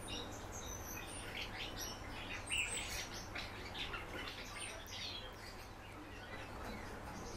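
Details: Kept house martin giving a softer, rambling twitter of quick chirps about two or three per second, with one brighter squeak midway and a low hum behind.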